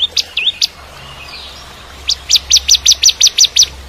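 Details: Active Bar-winged prinia in 'kristal' style, a tutor song for a young shama: a few hooked high notes, a short gap, then a quick even run of about ten sharp, bright chirps.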